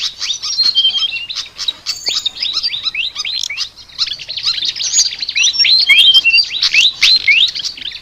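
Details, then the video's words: Flycatcher (sikatan) singing a chattering song called unique, made of many fast, thin, upward-sliding chirps mixed with occasional short steady whistles, running almost without pause for eight seconds. "BURUNG SIKATAN NGOCEH TER UNIKK"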